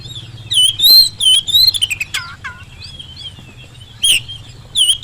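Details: Oriental magpie-robin singing as a lure for unresponsive birds; loud warbled whistles with buzzy edges and two falling notes, then a quieter stretch of soft whistles and a final sharp burst.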